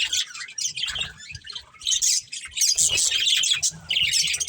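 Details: Budgerigars, a breeding pair, trading bursts of bright, scratchy chirps and squeaky warbles, loud phrases separated by short quieter gaps, with a faint low hum below.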